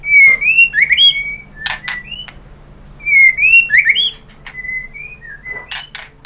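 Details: White-rumped shama lure song to draw replies from other shamas: two matching phrases of swooping whistles and short clicks, each about a second long, separated by quieter scattered notes.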